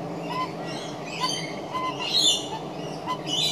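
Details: An adult magpie makes strange sounds: short, low, hollow notes about every half second, mixed with scratchy, squeaky chatter higher up.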